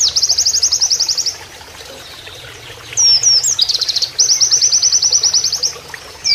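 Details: Oriental white-eye singing a canary-like master song for training: a fast, even high trill, a pause, several swooping whistled notes, then another long rattling trill, with faint running water and low hum behind.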